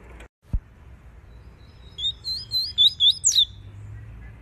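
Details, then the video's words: Double-collared seedeater (coleiro) singing the tui tui style, used to train a young bird and warm up a female: after a faint click, a quick run of high whistled, slurred notes in about one and a half seconds, with quiet background. "COLEIRO TUI TUI ESTOURADO DE CANTAR TREINAR"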